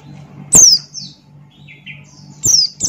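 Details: Buxton's white-eye uttering loud, piercing down-slurred notes, one near the start and another near the end, with softer short descending whistles between them over a faint low hum.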